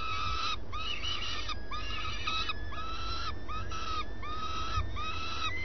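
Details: At first light a common swift at its nest repeats clear, flat-topped nasal notes with rich overtones, roughly one every half-second, over a constant low hum.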